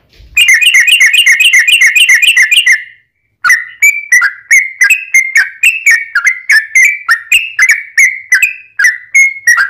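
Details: Lure song of a yellow-vented bulbul, meant to make other bulbuls reply: nearly three seconds of rapid, rattling, harmonically rich trill, a short pause, then a long series of crisp chirped and whistled notes, about three or four per second, wavering slightly in pitch.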